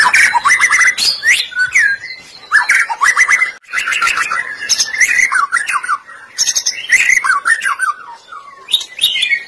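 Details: Lure recording of a white-rumped shama in vigorous song, meant to prompt other shamas to sing; loud bursts of clear whistles, swooping slurs and rasping chattering clicks, delivered in rapid phrases separated by short gaps.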